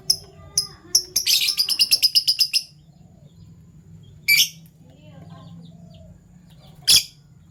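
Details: Caged Fischer's lovebirds in the morning, a violet and a gold opaline bird: a few sharp high chirps leading into a rapid run of about a dozen chattering notes, then two isolated harsh bursts, over low background hum.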